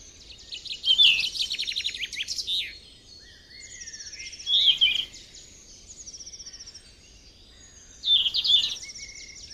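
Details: Yellow-rumped flycatcher singing in the wild: high, rapid trilled and whistled phrases with buzzy notes, three bursts about every three to four seconds, with softer thin notes between them.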